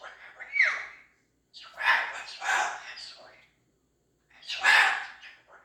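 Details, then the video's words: A female pet cockatoo voicing odd, haunted-sounding noises: a quick falling whistle, then gravelly, voice-like rasping bursts in two groups with a pause between. "Cockatoo makes noises like she's haunted!"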